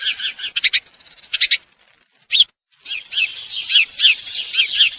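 House sparrow giving bright, chirpy notes in irregular bursts of several chirps, with brief pauses between, and no other sounds.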